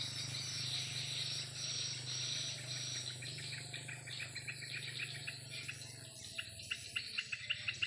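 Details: Swiftlets wheeling above their house one afternoon: a blur of high twittering gives way to a run of separate, sharp chirps repeated about three times a second, over a low droning hum that fades midway.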